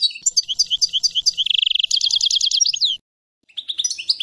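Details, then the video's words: European goldfinch delivering a fast, continuous twittering song: repeated bright chirps, a quick buzzy trill, then a run of high metallic notes before a short pause and renewed twitters. "Nature European Goldfinch Songs"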